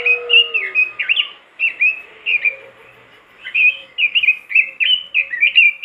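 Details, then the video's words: Robin singing vigorously as a master recording for getting other robins to sing: bright warbled phrases in clusters, a short lull with soft lower chatter, then a fast run of rising and falling slurred notes. "masteran burung robin gacor dor,bikin robin lain ikutan gacor"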